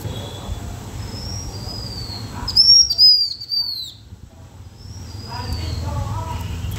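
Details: Blue-winged minla singing a lure song meant to attract birds: soft high whistles, then a loud cluster of sharp, high, downward-sweeping whistled notes, followed by quieter whistles over a low steady background hum.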